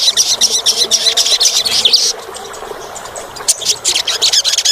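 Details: Olive-backed sunbird (Cinnyris jugularis, locally sogok ontong) song used as a lure for a bird that sings too little: rapid, high, thin twittering in dense bursts, briefly pausing mid-way before the chatter resumes.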